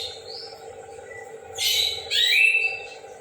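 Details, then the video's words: Orange-headed thrush singing in the morning: a faint thin rising whistle, then two loud harsh, buzzy bursts with a sliding whistled note inside the second, over a steady low hum. "burung anis kembang ngeplong dipagi hari"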